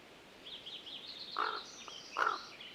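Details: A common raven in Tahoe National Forest at Yuba Pass in the Sierra, California, gives two short, hollow, wooden-sounding knocks less than a second apart, a rarely heard sound, over faint high chatter from other birds.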